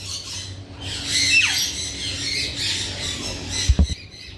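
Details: Parrot calling with grating squawks and one quick downward-sliding shriek, over a low hum, ending with a couple of dull knocks near the close.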